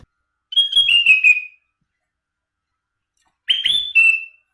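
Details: Sooty-headed bulbul, a bird sung in the isian style filled with other birds' phrases: two short bright whistled phrases, each a couple of clear notes sliding slightly downward, separated by about two seconds of silence.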